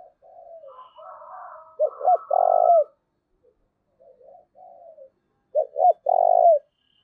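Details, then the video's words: Lure call of a spotted dove for wild doves: quiet low coos lead twice into a loud pattern of two quick clipped notes and a sustained purring coo, with brief pauses between. "cu gáy// tieng cu gay thuc boi ve coi hiệu quả nhất"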